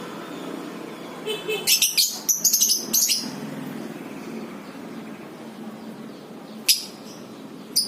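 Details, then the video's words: Lovebird ngekek chatter, played to get other lovebirds singing: a dense run of high, squeaky chirps lasting about two seconds, a pause with low background hum, then single sharp chirps. "PANCINGAN 100% NGEKEK BURUNG LOVEBIRD!! AUTO NGEKEK"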